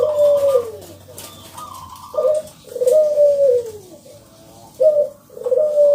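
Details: Loud local zebra dove song, used to encourage other zebra doves to sing: soft, clipped opening notes, then drawn-out coos sliding downward, with brief, higher rolling notes between phrases.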